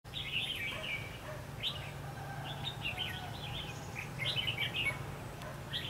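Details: Red-whiskered bulbul used as a decoy during bird trapping on 23 October 2016, singing a fighting song: short bright warbled, chattering phrases repeated in quick bursts over a steady low rumble of background noise.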